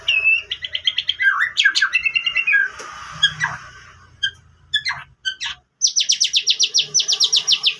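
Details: Lure recording of a White-rumped shama with canary phrases: fast trills and warbled notes, a brief quieter gap with scattered chips, then a long rapid series of repeated high buzzy notes.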